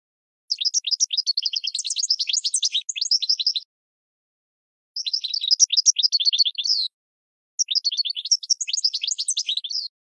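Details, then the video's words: Goldfinch song for training cage birds, given in three separate bursts of rapid, high, jangling twitters divided by short silences. "Goldfinch 12h Excellent for Training"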